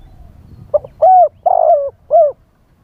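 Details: Spotted dove used as a live lure for wild doves, giving its wild-style song: a clipped introductory note, then three mellow falling coos, the second drawn out and burry, over faint low background rumble.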